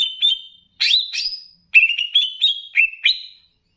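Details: Greater green leafbird from Banyuwangi, on a master recording meant to raise other leafbirds' excitement, with bebeci sounds mixed in: varied whistled phrases, short clear notes, buzzy bursts and a string of warbled, rising and falling notes.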